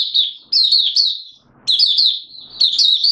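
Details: Mata puteh, a Malaysian oriental white-eye, singing in Singapore on 29 March 2023 amid warm humid weather and sudden showers; two bursts of high, sweet, slurred twittering notes separated by a short quiet pause.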